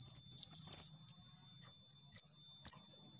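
Ruby-cheeked Sunbird giving high, thin squeaky chirps and sharp ticks, about two a second and unevenly spaced, over a low steady hum.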